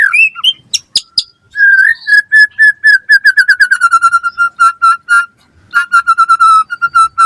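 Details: White-rumped shama (murai batu) singing gacor as a master recording for other birds: a few sharp clicks open a long series of evenly repeated clear whistled notes, slowly falling in pitch, with one brief pause.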